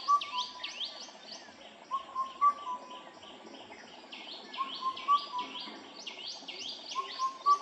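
Indian cuckoo repeating its four-note whistled phrase about every two and a half seconds, under busy high chirping from other birds.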